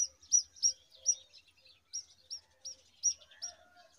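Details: Brown rock chat chicks being fed worms by a parent give thin, high, sharply rising chips, about three a second, with faint lower chattering behind.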